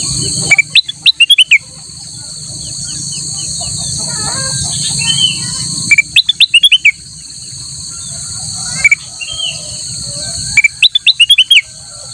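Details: A ruby-throated bulbul in full song, used as a tutor for other birds, gives bursts of quick, bright chattering notes in short phrases every few seconds over a steady high insect-like whine.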